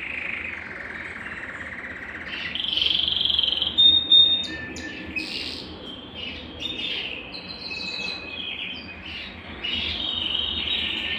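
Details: Belgian canary singing to warm up a cold canary, a varied run of high chirps, short trills and squeaky notes, louder bursts near the middle, over steady low hum.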